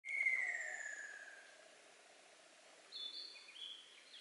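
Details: Ruddy kingfisher calling in 2014 inside dense woodland with poor visibility, where it moved before starting to call: a loud whistled note sliding steadily down over about a second and a half, then a higher, thinner bird call follows.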